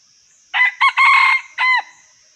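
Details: Crow of a Red junglefowl, in a setting of trapping wild birds: a clear four-syllable crow, short-short-long-short, the final note bending downward, heard against a steady thin high-pitched whine in the background.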